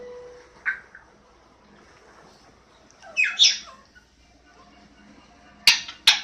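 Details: Scattered short squawks and sharp clicks from a pet African grey parrot over several seconds of near quiet, with a brief rough burst in the middle and two snappy clicks near the end.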